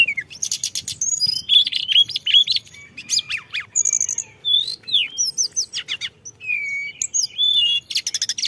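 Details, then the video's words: Tledekan gunung song from a lure recording full of varied phrases: fast, dense stream of high chirps, upward-swept whistles, buzzy rattles and trilled bursts, delivered continuously with only brief gaps. "pancingan tledekan gunung full isian"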